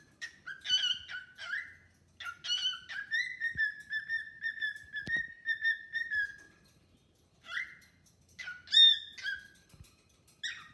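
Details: Cockatiel kept as a pet, chatting and singing with a new bird: short harmonic whistles and chirps, then a long sustained whistled phrase holding a steady pitch for several seconds, followed by a pause and a few sharp chirps.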